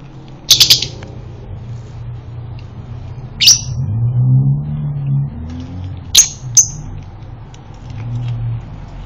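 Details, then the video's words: Male lovebird in breeding condition gives a few shrill, high chirps, single notes and quick pairs spaced a few seconds apart, over a steady low rumble; used as a lure to set off its continuous chattering song. "pancingan lovebird jantan birahi menuju konslet"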